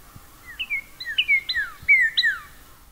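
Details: Northern Cardinal in a southern Maine backyard in late March, early spring, singing a bouncy run of clear, down-slurred whistles, about five notes in under two seconds, each sweeping from high to lower pitch.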